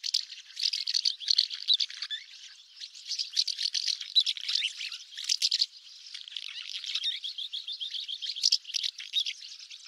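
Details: A common house martin (Delichon urbicum) sings a continuous dry, chattering twitter of rapid scratchy notes, high-pitched and rattling, running almost without pause.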